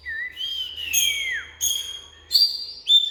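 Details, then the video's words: Oriental magpie-robin singing a long, pure whistle that rises then sweeps down, followed by short bright whistled notes with brief silences between them. "Bird Oriental Magpie-Robin| Birdsong"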